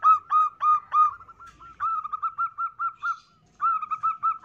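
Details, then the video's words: Female zebra dove calling to lure males: strong, harmonically rich notes repeated rapidly, a softer running chain of short coos, then a second loud sequence of repeated notes. "Pancingan Prekutut Betina Gacor II Turtle Dove - Zebra Dove"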